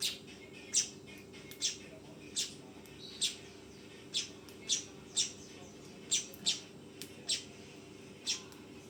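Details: Fledgling weaver producing about thirteen short, raspy chirps at irregular spacing, somewhat quieter, with a few fainter clicks between them and a constant hum behind.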